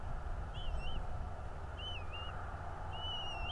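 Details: Bald eagle nest in North East Florida, morning of 11.02.2022 at 09:55: three high whistled calls with a wavy, undulating pitch, about one per second, over a continuous deep background rumble.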